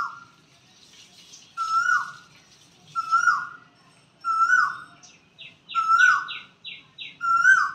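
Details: Spring koel at a temple's peepal and banyan trees in early April; clear whistled notes that sweep down at their ends, repeated roughly every 1.3 seconds, with a quick series of higher chirps from another bird near the end.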